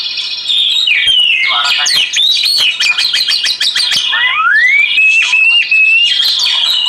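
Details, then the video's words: Oriental magpie-robin singing for meditation and therapy: loud, varied whistled phrases with rapid chattering notes and a long rising slur near the middle, set over a steady background of flowing water. "Terapi KICAU KACER media Suara Aliran Air untuk Meditasi dan TERAPI"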